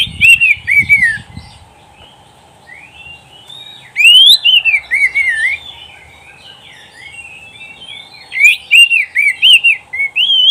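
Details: Oriental magpie-robin song used to train pet birds to sing: rich, varied whistled phrases that rise and fall, in bursts of rapid notes separated by quieter pauses, with a low rumble at the start.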